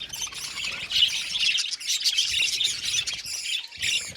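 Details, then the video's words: Budgerigars in an aviary colony chattering together: dense, high, scratchy warbling and rapid chirps overlapping continuously, with brief louder squawks near the start and end. "Beautiful budgies singing sound | budgies chirping sound"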